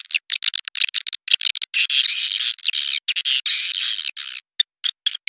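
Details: Swiftlet lure sound for drawing swiftlets to nesting houses: rapid high twittering chatter in choppy bursts separated by abrupt silences, with a few longer sustained stretches.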